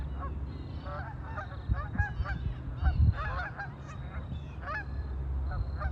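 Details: A busy group of ducks on a lake keeps up dense, overlapping nasal honks and chatter throughout, with heavy low rumbling and occasional thumps in the background.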